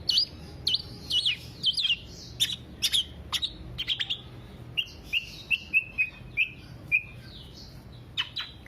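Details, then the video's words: Black-naped oriole song meant for luring or tutoring songbirds: a varied opening of quick, high slurred chirps, then a steady row of short, level, clear notes repeated roughly twice a second. "Kepodang Podang kicau sampe telerrr"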